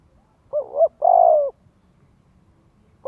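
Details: Spotted dove decoy coo meant to stimulate young birds to coo: a soft wavering double note, then a sustained low hollow coo, and after a pause the next phrase begins.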